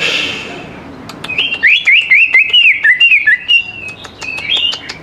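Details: Energetic greater green leafbird song, used to draw young leafbirds into song; a fast string of around twelve loud, looping whistled notes over sharp clicks, ending in softer trills.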